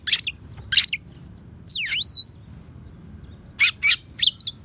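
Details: Mimicking Oriental magpie-robin voicing sparrow and prinia sounds for songbird training; sharp chirps open, followed by a wavering descending-then-rising whistled trill, then quick chirps and a short whistle.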